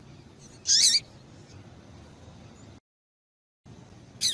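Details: A female double-collared seedeater (Sporophila caerulescens) gives a sharp, high, buzzy chip, then a second one about three seconds later, over a faint low hum; this female call is used to stimulate males to sing.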